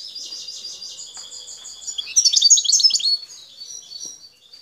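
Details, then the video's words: Wild Algerian European goldfinch singing near Bouthelja, El Tarf sector, Algeria: high, tinkling twittering notes run on, then a louder burst of jumbled chirps and liquid slurs midway before fading back to softer twitters. "10 دقائق من متعة التغريد حسون خلوي سكتور الطارف بوثلجة"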